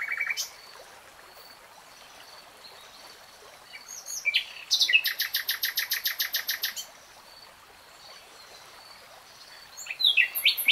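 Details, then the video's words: Singing common nightingale: a brief opening note, then after a pause a loud phrase of rapid, evenly spaced repeated notes lasting about two seconds, followed by silence and another short burst. "BEST NIGHTINGALE SONG 3 Hours REALTIME Nightingale Singing, NO LOOP"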